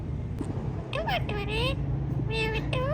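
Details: Ringneck parrots talking: a few short nasal, wavering voice-like phrases in quick succession, then a pause and two more rising syllables, with a low droning hum underneath.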